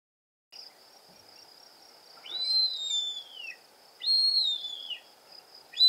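Bearded vulture giving thin, shrill whistles that slide downward, each about a second long, two in quick succession, over a steady high insect-like buzz.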